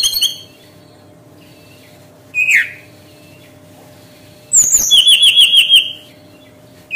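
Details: Brown-chested jungle flycatcher song used to lure birds into singing: scattered short high notes, a loud downslurred whistle, then a fast trill of about eight repeated high notes over a quiet, steady background hum.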